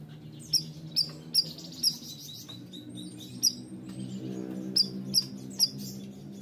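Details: Bayeman bird in full song: high, thin chirps in short bursts, some closely spaced, with a pause midway, over low steady hum.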